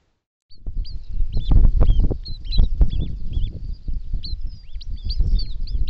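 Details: South Island pied oystercatcher at its breeding site on a braided river in the central South Island, giving a rapid, steady series of high, sharp piping notes, some slurred downward, over heavy low wind rumble.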